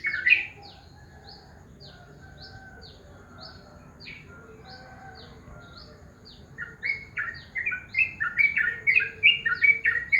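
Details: Morning call of a yellow-vented bulbul: after several seconds of only soft, high repeated pips from another bird, a lively stream of gurgling, warbled chirps builds and continues to the end.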